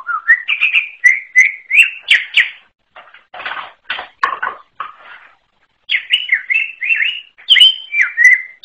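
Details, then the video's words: Greater green leafbird singing an unusual varied song: quick chirped whistles, a burst of harsher broadband notes in the middle, then more rapid whistled phrases rising and falling. "KICAU UNIK CUCAK IJO ALAS"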